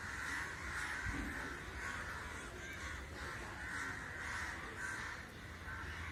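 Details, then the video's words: Numerous crows assembled in a puzzling group call constantly, their overlapping hoarse caws forming an unbroken chorus over low rumbling noise and an occasional knock. "Why Crow's gather, making sounds"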